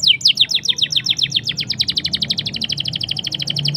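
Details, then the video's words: Rolling ngerol song of a black-throated canary, a lure for getting canaries to sing fast: one long, steady run of rapid down-slurred notes, dozens in under four seconds, over a faint low hum. "BLACKEN GACOR NGEROL NEMBAK MANTAP.. Ampuh Pancing Kenari Cepat Bunyi"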